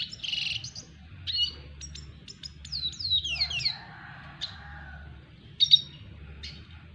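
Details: Red siskin of the double dilute mutation, learning to court a female. High twittering chirps and sharp downslurred notes, with a brief buzzy trill in the middle, over a steady low background hum.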